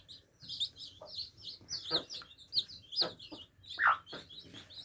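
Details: Young chicks at water give a steady stream of high-pitched peeps. A few sharper, louder cheeps stand out over faint pecking taps.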